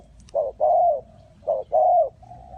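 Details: Spotted dove calling at a bird trap in Ninh Thuận. Two low hooting coo phrases, each a short note followed by a longer, slightly falling coo. The background is quiet.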